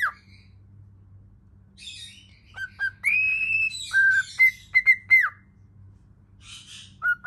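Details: Cockatiel singing in front of a mirror, indoors over a steady low hum: soft scratchy chatter, then a long drawn-out whistle, a lower whistled note and a quick series of short bright whistles with a bending final note.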